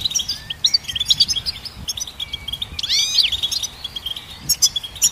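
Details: Goldfinch song in lively, liquid bursts: rapid high twittering notes, a sharp rising-falling flourish near the middle, and quick chirps toward the end over soft low hum.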